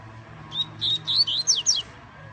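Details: A captive yellow-bellied seedeater (coleiro baiano) finishing its moult sings a quick run of about six bright, high notes, some slurred upward, over a low steady hum.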